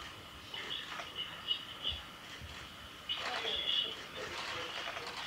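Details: Spotted nutcracker at Okuniwa Nature Park on 6 September 2021 gives harsh, rasping calls in two or three grating bursts about a second apart, over a quiet outdoor background.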